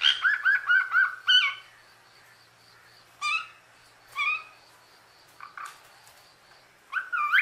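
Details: Captive female common hill myna speaking: a rapid string of six voiced syllables, then spaced single harsh notes about a second apart, ending in a loud rising slurred phrase.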